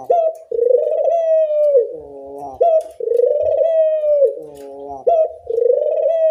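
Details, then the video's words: Loud puter dove lure for training doves to call, made of sustained level coos broken by shorter rich, layered notes, cycling steadily about every two and a half seconds in a quiet setting. "Pancingan puter bersuara nyaring, melatih bunyi semua jenis burung puter"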